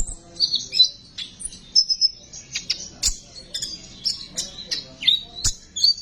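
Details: Sunbird recording meant to draw sunbirds out and get them singing: quick, high, sweet twitters and short trilled notes tumble on continuously, punctuated by a few sharp ticks.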